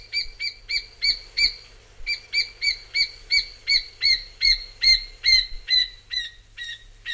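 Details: Rufous Scrub-bird calling with loud, emphatic whistled notes. Each note is sharply rising then falling and carries a higher ringing overtone. The notes come in a steady run of roughly two per second, with one short break midway.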